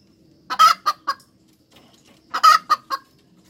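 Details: Hens cackling: two separate bursts, each a loud harsh drawn-out squawk followed by two or three shorter clipped clucks, with a quiet gap between bursts.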